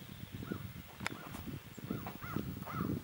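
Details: Part of an estimated 30,000 migrating shorebirds in a murmuration at Mary's Point, Bay of Fundy, New Brunswick, Canada. The flock gives short, arched, mid-pitched chirps at irregular intervals over a steady low rumble of wind and wingbeats.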